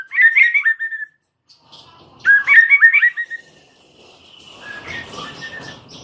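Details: White-rumped shama repeating a rich, fluty warbled phrase twice, with other faint chirping and background noise toward the end.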